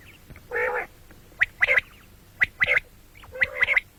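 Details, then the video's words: Common quail (batair) heard morning and night: one drawn-out nasal note, then quick sharp clicking triplets repeated about once a second. "batair ki awaz quil sound beautiful morning and night بٹیروں کی سپیشل زبردست آواز صبح رات"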